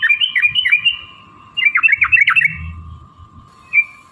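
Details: Yellow-vented bulbul chattering, used to provoke other bulbuls to sing: quick bubbly, slurred notes in two short bursts, then a single clear note, with a constant hum and faint low noise.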